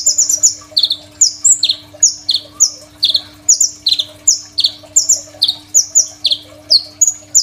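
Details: Crimson sunbird delivering a full, varied song meant for training other cage songbirds, phone-recorded: an unbroken stream of shrill chirps and descending slurs, evenly paced about three per second.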